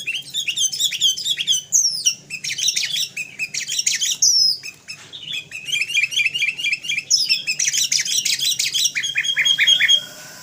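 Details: Sooty-headed bulbul (kutilang kapas) singing nonstop in a 'full isian' master recording: long, varied streams of rapid chirps and whistled notes, with a few short breaks and a closing series of evenly spaced chips.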